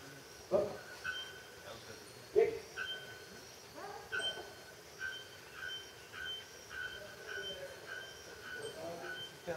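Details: Bare-throated bellbird, probably near its nest, gives two loud, sharp metallic clanks like a hammer striking an anvil, about two seconds apart; people talk quietly and fainter tonal notes follow.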